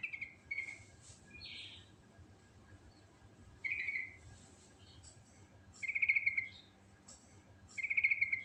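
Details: Wild-sounding sooty-headed bulbul giving a chatty ngerol song: brief buzzy trilled notes repeated every two seconds or so, mixed with softer whistled chirps and faint background noise.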